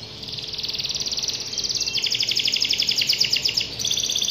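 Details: Kenari, the canary, in vigorous gacor song: fast rattling high trills delivered nonstop, pulses blurring into a buzzy roll, with a brief change of phrase near the end and light ambient hiss behind.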